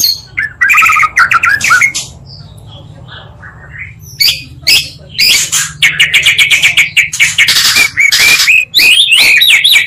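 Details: Oriental magpie-robin song, two birds' voices combined as a provocation lure for other magpie-robins: high, sharp whistled phrases and fast clicking bursts, a short quiet gap early, then dense chattering strophes.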